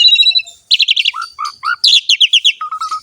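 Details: Asian pied starling singing vigorously in a rich, filled-in song style: thin high whistles, then a fast run of rhythmic chips, three lower slurred whistles, more rapid chattering notes, and a closing train of short even low whistles.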